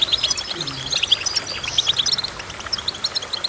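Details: Sweet, high twittering from a goldfinch, made of short and long notes in quick runs, with a brief low sliding sound early on.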